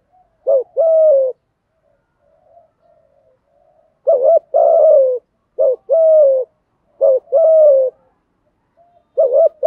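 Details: Male and female spotted doves in nonstop 'thúc gù' cooing, meant to prompt trainee doves to call quickly. Five phrases, each a short bouncing note and then a long mellow coo. There is quiet murmuring in a pause near the start.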